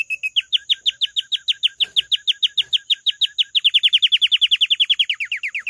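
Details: Canary song with a long run of evenly repeated, downward-hooked notes, then a faster, smoother trill of descending notes; a soft tap partway through.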